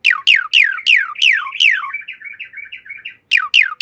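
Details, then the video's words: Javan pied starling song prepared for training cage birds: loud, sharply down-slurred whistles in quick succession, then a run of short chattering notes, then two more down-slurred whistles. "Masteran Jalak Suren Anti Stress. Burung Pasti Nyaut"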